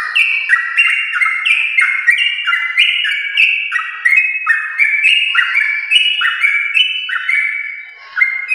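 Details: Yellow-vented bulbul of champion lineage in full, long 'ropel' song, used as a singing prompt for caged bulbuls: a steady torrent of chattering, slurred whistled notes, layered and fast, fading briefly near the end.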